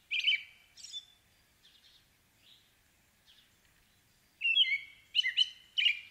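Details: American robin singing: clear, slurred whistled phrases in short bursts, a strong opening pair, softer scattered notes through a quiet middle, then a loud run of four rapid caroling phrases near the end; no other sounds.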